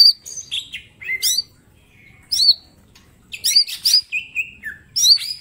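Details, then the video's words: Green leafbird in training song: scattered sharp whistled upslurs, short buzzy bursts and a few long level whistles, separated by brief silent gaps. "Cucak ijo mini gacor full tembakan bongkar materi"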